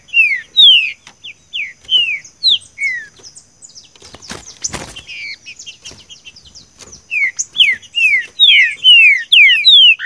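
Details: Green-winged saltator song of the "seu chico" type, used to train captive birds: rich downslurred whistles in quick series, broken midway by a brief broadband noise burst, then a faster run of falling notes amid thin high twittering.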